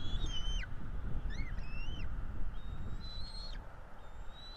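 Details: Young Bald Eagles, two chicks at a Florida nest being fed on 5 April 2022. High whistled calls slur downward, with some shorter rising notes between them, against a rumbling low background.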